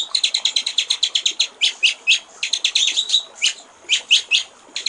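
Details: Master recording of a white-rumped shama for tutoring songbirds, with trickling water: a quick run of high clipped notes breaks into slower, louder, separate whistled strokes with short pauses between.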